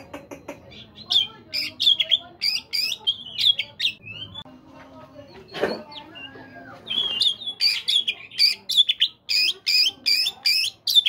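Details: Oriental magpie-robin, morning song meant to stir caged birds to sing: choppy bursts of sharp, buzzy notes, a brief quieter gap with a single thud, then a dense stretch of rapid, repeated loud phrases.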